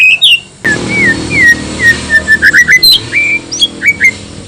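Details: White-rumped shama song used to stir rival shamas to reply: a run of short, loud whistled slurs, then rapid repeated bright notes rising and falling, over a faint low hum.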